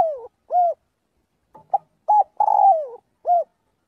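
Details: Spotted dove calling the flock during daily voice practice: short cooing notes near mid pitch, a longer falling coo, then a closing coo, in a quiet setting.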